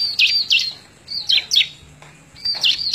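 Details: A bar-winged prinia sings in May 2017 for a tutor recording: short, high, falling whistled notes given in pairs, with a gap of about a second between groups.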